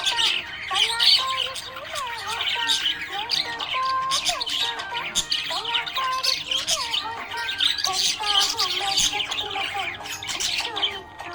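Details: Happy pet budgerigar chattering in rapid, scratchy high chirps and squawks, with sliding melodic music playing loudly underneath throughout.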